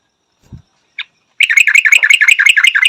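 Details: Yellow-vented bulbul, preceded by a soft thud and a single chip, breaking into a fast, loud chattering trill of repeated buzzy notes.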